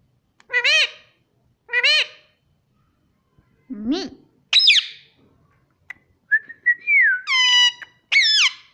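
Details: Pet Indian rose-ringed parakeet talking indoors, taught to say "mummy": two matching voiced words about a second apart, then a silence, a low rasp, and a run of sharp whistled and squawky notes rising and falling.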